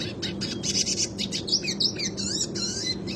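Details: Classic Red Siskin singing its rolling song as a tutor recording for other birds: quick high chattering twitters and buzzy notes in close succession, steady low hum in the background.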